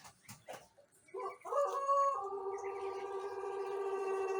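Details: Young Pelung rooster, a jejangkar one month into learning to crow, recorded in the morning with an empty crop on normal bran feed; after faint clicks, a long steady harmonic crow begins and holds level without a break.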